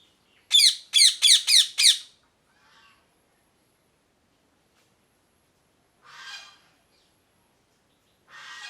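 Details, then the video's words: Parrot giving a rapid burst of five harsh, screechy squawks in under two seconds, then a faint call and two softer raspy squawks spaced several seconds apart, with silence between. "Parrot Chirping Sounds | Natural Parrot Sounds | Parrot Calling Sounds"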